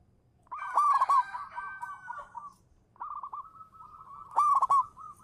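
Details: Zebra dove of local stock singing as a lure: a loud rolling coo with strong overtones, then a long level stuttered phrase ending in a bright burst.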